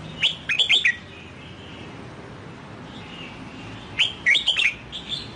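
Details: A red-whiskered bulbul, newly bought and wild-caught, trained toward the Sông Kon song style, delivers two rapid phrases of sweet, slurred whistles about three seconds apart, the second ending in softer notes, over a faint hum.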